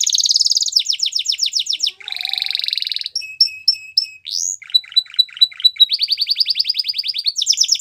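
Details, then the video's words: Canary song used for training young canaries: varied tour of rapid trills, a buzzy rattle, spaced clicking pips, an upslurred whistle, and fast repeated notes, loud and high. "Canary Bird Sounds | The Best Canary Singing For Training"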